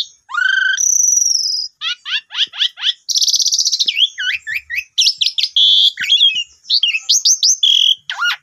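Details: Asian pied starling singing a rich, nonstop medley meant to prompt a new bird to sing: a long high whistle, quick repeated falling notes, buzzy harsh stretches and twisting whistled slurs, loud throughout.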